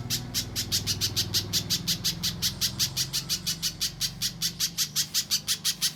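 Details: Spiderhunter (pijantung pisang) singing in mbeset style, a clear-voiced training recording for songbird contests: rapid, evenly spaced sharp high chips, about three per second, running unbroken over a low background hum.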